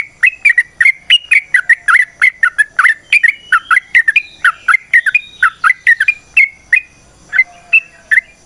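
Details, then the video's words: Sooty-headed bulbul (trucukan) song as a lure for other trucukan: fast, continuous chattering run of bubbly whistled notes that slows to a few spaced calls at the end. "Trucukan GACOR ngalas ROPEL PANJANG suara alam AMPUH buat pancingan"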